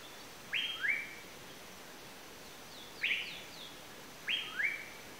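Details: Asian paradise flycatcher calling in rough, rising double notes, each pair a harsh chee-chew, repeated three times roughly every one to two seconds against a faint steady hiss.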